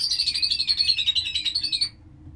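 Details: Breeding lovebird giving a fast run of shrill, high chirps, about a dozen per second, for nearly two seconds before it stops abruptly; only a faint low hum underneath.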